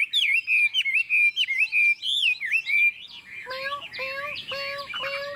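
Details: Chinese hwamei, a kept bird with a forest-type voice, in its 'ngũ trường' style song: clear, loud, wavering whistles for three seconds, then a series of lower, evenly spaced whistled notes repeated about twice a second.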